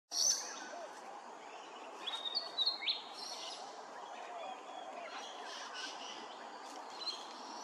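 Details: Grey-crowned babbler at Hervey Bay, Queensland, giving a few sharp, high upslurred whistled notes near the start and around the middle, set against a steady background hiss.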